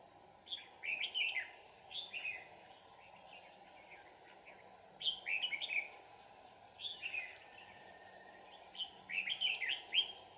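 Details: Red-whiskered bulbul used as a decoy while trapping in Kim Bôi, Hòa Bình, Vietnam, singing to fight. Bright, warbled whistled phrases of quick rising and falling notes come in bursts roughly every two seconds over steady background hum.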